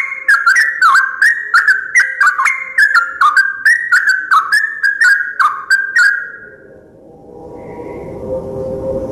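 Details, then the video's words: Sooty-headed bulbul, the first bird heard at dawn: a long run of bubbly mid-pitched warbled notes stepping up and down, about three per second, then fading into low rumbling noise. "Burung yang bunyi pertama kali di pagi hari saat subuh"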